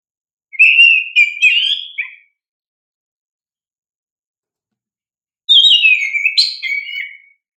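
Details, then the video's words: Oriental magpie-robin (kacer) song played as a lure and training aid for young caged kacer birds: two rich whistled phrases about four seconds apart, each a run of warbled, sliding notes with sharp high accents, clean background. "Pancingan Kacer GACOR"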